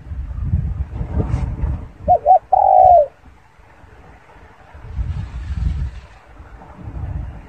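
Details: A single spotted dove phrase: two quick hollow notes and a longer, gently falling coo, set against low rumbling background noise and otherwise quiet surroundings.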